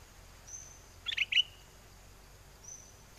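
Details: Caged bulbul singing in a wild-song style and calling a mate, from Chana, Songkhla, southern Thailand, in a windy season: three quick, bright chirped notes in a tight burst, then quiet with faint high hissing background.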